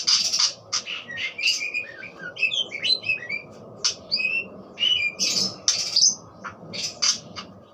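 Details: Budgerigar song mixing loud buzzy bursts with quick rising and falling whistled chirps, over a background murmur of broadband noise.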